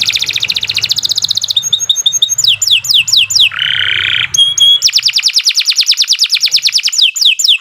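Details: Domestic canary (kenari) in full long song, used as a master bird to prompt young or silent canaries: loud varied high trills, fast repeated rolled notes, a buzzy low burst and sweeping whistled phrases, almost continuous.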